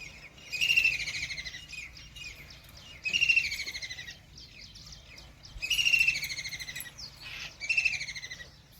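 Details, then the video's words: Riverside kingfisher in Ranthambore National Park, Rajasthan, resting after eating a large fish, gives four shrill chattering rattles, each slightly descending and about a second long, spaced irregularly over several seconds, with soft background bird twitters. "Common Kingfisher - Sounds I Common Kingfisher I White Throated Kingfisher I Kingfisher bird Sound"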